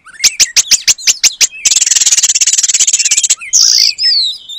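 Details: Oriental magpie-robin in lively song, mimicking the long-tailed paradise bird as song material: sharp repeated clicks, then a fast buzzy rattling trill lasting under two seconds, ending in a harsh note and a whistle.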